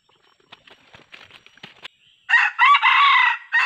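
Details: Wild red junglefowl with yellow plumage, lured with a decoy during trapping; a male arrived with a hen. Soft scattered rustles and clicks give way to a loud, harsh, broken crow that bursts in after two seconds and runs to the end.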